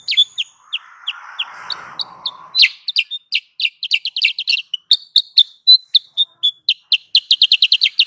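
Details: Sooty-headed bulbul calling as a lure for trapping: irregular high chirps that speed up into a dense, rattling run of sharp notes, with a brief patch of soft noise early on.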